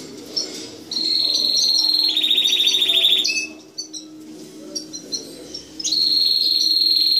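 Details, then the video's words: Canary song with long, steady high trills, one dropping slightly lower and pulsing rapidly, a brief pause with scattered soft notes, then the trill resumes. "Kanarya Ötüşü"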